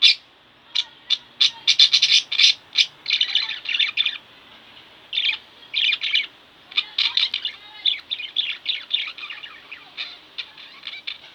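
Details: Loud, clipped chirps burst out at first from two pet budgerigars at home, building into dense scratchy chatter in several bouts with short gaps between.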